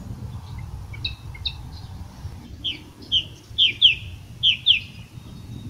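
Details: Song thrush from Portugal calling: faint scattered notes at first, then sharp, clear, high chirps arriving in close pairs, with low background rumble throughout.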